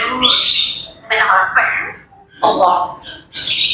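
Grey parrots chatter in loud, harsh squawks and speech-like bursts, about one a second, mixing whistled notes with grating, voice-like sounds.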